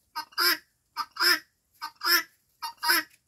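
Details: Guineafowl aged five months calling four times in steady rhythm, each call a quick rough note and then a longer, louder, hoarse note, repeated roughly every 0.8 seconds.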